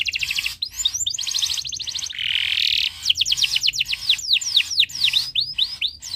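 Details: Canary in breeding condition, singing to get other birds singing: fast trilled notes, a dense buzzy roll, then a sequence of bright repeated downswept whistles.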